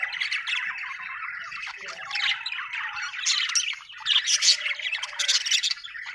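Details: Happy budgie chirping, an Australian bird, in a steady busy warble of quick chirps, clicks and short whistles, rising and falling without pause, with one brief dip in loudness midway.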